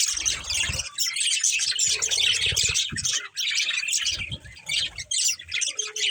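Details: Breeding pair of pet budgerigars chirping: dense, continuous chattering and squawky tweets concentrated high, with brief pauses and a few low thumps.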